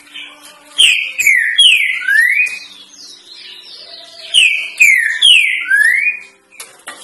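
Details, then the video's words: Green-winged saltator singing the three-note "boi" song used for tutoring young birds. It gives a rich whistled phrase twice: two falling slurred notes then a rising one, with a short pause between phrases. "TRINCA FERRO 3 NOTAS BOI PROFESSOR"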